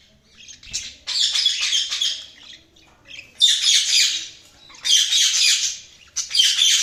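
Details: Budgerigars chattering in bursts of dense, scratchy warbling and squawks, each burst lasting about one to two seconds and separated by short quiet gaps, apparently indoors.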